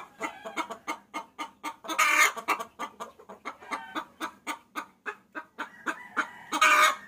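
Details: A hen calls to a rooster, a lure recording: dense rapid clucks with two loud hoarse squawks, one early and one at the end.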